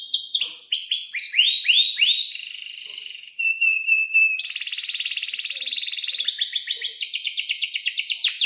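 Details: Long canary song for training young canaries: downslurred whistles give way to a steady buzzy tour, quick chip series, a rasping trill, then rapid rhythmic rolls of repeated notes.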